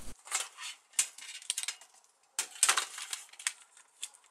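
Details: Irregular metallic clattering and clinking, like dishes or cutlery being handled indoors, in bursts separated by a brief quiet gap, with no animal voice.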